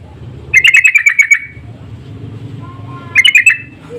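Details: Sooty-headed bulbuls calling back and forth in a lure recording: a rapid run of about eight scratchy, bright chatter notes, a pause with soft low hum, then a shorter burst of four to five notes.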